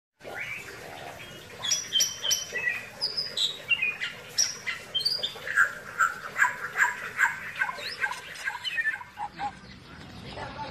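A Bali myna sings a varied jumble of whistles, chatters and squeaky notes, running in quick bursts of about two or three per second.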